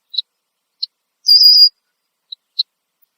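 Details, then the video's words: Red-winged blackbird sitting in a tree in Southern Ontario, Canada, sounding alarm. A few clipped, high chek notes surround one sustained buzzy whistle lasting under half a second. "Red-winged Blackbird Alarm Call"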